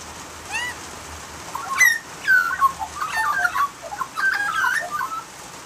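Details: Australian magpie in full song, one loud squeal followed by a tumbling, varied series of mellow warbles and yodelled notes. Short rising calls are mixed through it against a soft background hiss.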